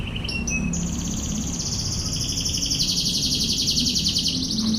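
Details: Canary song: brief high notes leading into a long, very high, fast rolling trill, with low hum underneath.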